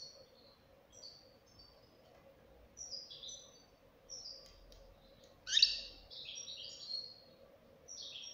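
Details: Young European goldfinch uttering scattered short twitters that build to a loud, harsh burst and tumbling chatter midway, then softer notes; faint hum behind the bird.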